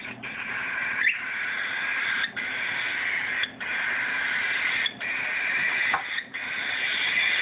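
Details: Cockatiel hatchling being hand-fed, giving a continuous harsh, buzzy begging rasp broken by brief pauses every second or so.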